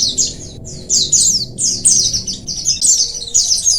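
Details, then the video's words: Oriental white-eye colony song played to stimulate lazy birds: high, downslurred twittering notes in quick overlapping runs, a short silence near the half-second mark, then continuous chattering. "Koloni pleci,merangsang pleci malas Bunyi agar cepat ngalas"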